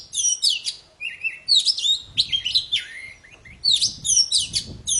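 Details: Poci bird singing nonstop, a recording meant to coax silent poci into song: loud, varied whistled phrases with quick rising and falling notes and short trills, packed together with brief pauses, clean background.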